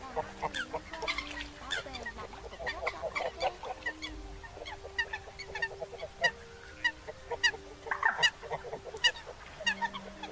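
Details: Eurasian coots, a flock recording used as a lure for night net-trapping, give a busy, uneven stream of short, nasal honking calls, several birds overlapping, over a steady low electronic hum.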